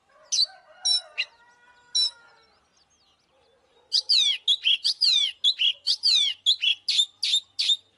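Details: Fighting song of an oriental magpie-robin. It begins with a few sharp chirps over soft low humming tones, then goes into a quick string of bright whistles and falling slurs after a brief pause.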